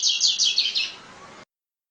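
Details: Double-collared Seedeater (coleiro) song, used for communicating with other coleiros. About five quick, buzzy, high notes come in rapid succession over a steady background hiss, then the sound cuts off abruptly.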